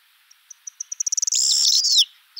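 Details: Common starling (Sturnus vulgaris) song: a run of high ticks that speeds up into a dense, buzzy rattle with a falling whistle, then another note begins.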